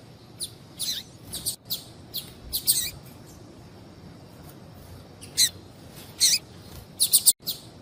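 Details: A female papa-capim seedeater calling to attract males. Irregular high chips and short downslurred notes are separated by long quiet stretches, ending in a quick cluster of bright chirps.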